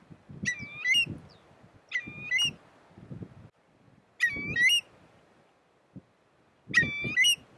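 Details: Eurasian curlew, nominate race, at Spiggie on Shetland in the UK, July 2013: four harmonically rich calls, each a level note lifting into a rising whistle, spaced two to three seconds apart, with low rumbling noise throughout.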